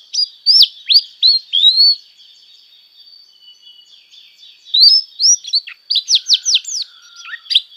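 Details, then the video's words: Canary tutor song for teaching young birds: a run of quick rising slurred notes, a quiet pause of about two seconds, then further bursts of sharp swept syllables and thin whistles. "masteran burung kenari paud"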